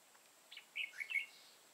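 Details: Red-whiskered bulbul lure bird singing competitively during trapping; one quick burst of bright, warbling notes rising and falling, about a second long, over faint hiss.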